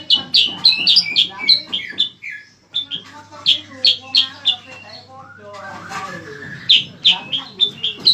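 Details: Bayeman, also called cicak kurincang, in lively song used as master song for training competition cage birds: rapid run of sharp high chirps and short whistled notes, briefly pausing near three seconds, then resuming in dense, varied bursts.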